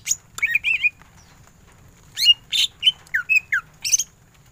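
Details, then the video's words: Greater green leafbird singing ngentrok with tembakan: a few quick twisted whistles, a silent gap, then a string of harsh squawky notes and sharp downslurred chips. "Cucak ijo gacor full tembakan ngentrok"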